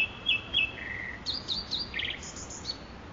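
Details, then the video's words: Nightingale singing in Makui Park: quick varied phrases, two sharp high whistles, then a lower drawn-out note, followed by clusters of high chirps and short trills at different pitches, against a steady low background hiss. "صدای بلبل خفن در پارک ماکوئی"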